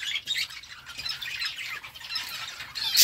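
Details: Budgerigars chirping together, scratchy warbling chatter and quick squawks from several birds, ending in a louder burst.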